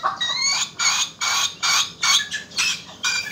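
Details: Black chick giving a loud laughing call: seven harsh, rasping bursts in a steady chuckling rhythm, roughly two to three per second, each bright and buzzy.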